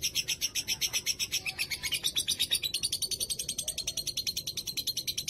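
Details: Kept lovebird from the Pantura coast of Java, Indonesia, in full ngekek after a long break during Covid-19: continuous shrill chattering pulses repeated about eight times a second, slightly uneven in loudness.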